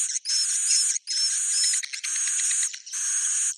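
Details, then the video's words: Swiftlet roosting call of the type called Bhayangkari: long, dense buzzy bursts of rattling chatter, each about a second, separated by brief gaps, with a thin high whistle running along the top of the sound. "Suara Inap Walet Bhayangkari"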